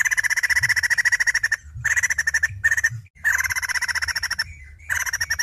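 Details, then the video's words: Female white-crested laughingthrush chattering almost without stop, long runs of rapid harsh rattling pulses broken by short pauses and one brief soft whistle. "Poksay Jambul Betina Edan"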